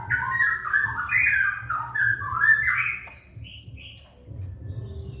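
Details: Rapid 'ropel' singing from a wild straw-headed bulbul: a rich, rolling warble of quick whistled notes lasting about three seconds, ending with a couple of thinner higher notes, over continuous low background noise.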